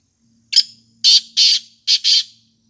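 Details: Loud, rasping black francolin call. One sharp, scratchy note opens, then two grating doublets follow in quick rhythm, with a faint low hum underneath.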